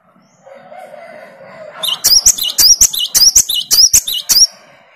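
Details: Great tit (Parus major) calling back to a lure of another great tit: a faint low hum gives way to about seven loud, high, see-sawing two-note phrases delivered in quick rhythm.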